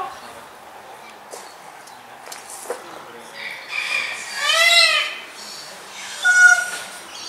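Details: A Satyr tragopan resting during a midday siesta in a bird park gives two loud, drawn-out wailing calls, rich and nasal, the second shorter and about 1.5 seconds later, over faint background clicks from the park.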